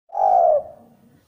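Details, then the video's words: Spotted dove, a bird described as not especially vigorous but fairly good and quick, used as a lure recording; one smooth, low, slightly falling coo lasting about half a second, fading into a quiet tail. "Derkuku Tidak Gacor tapi Cukup Bagus dan lebih cepat untuk pancingan"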